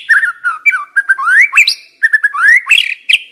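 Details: Young wild white-rumped shama used as a training lure to stimulate other birds: rich, varied whistled phrases, rising slurs and quick chirps with sharp upward sweeps, delivered in a rapid continuous stream.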